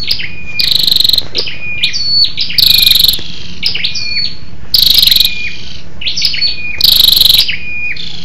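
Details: Scarlet-backed flowerpecker female calling to rouse males; high metallic ticks and thin descending whistles, with loud rasping buzzy bursts recurring about every two seconds, four in total.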